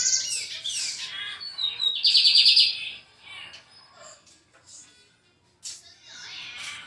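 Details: Brown-plumaged lined seedeater singing: scattered high chirps and sweeping notes, then a loud buzzy trill of about a second, followed by quieter broken phrases and a final burst of rapid chirping.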